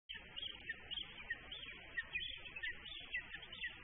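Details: Lesser spotted eagle (Clanga pomarina) on a Latvian nest live-cam, 1 July 2013, about 14:28, gives thin, high yelping notes about twice a second over a steady low hiss.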